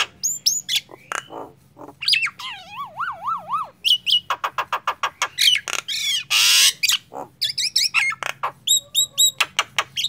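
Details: Actively singing Nias hill myna delivering sharp clicks, upslurred whistles, and a long wavering warbled phrase. A harsh rasping burst follows, then quick clipped whistles and pops.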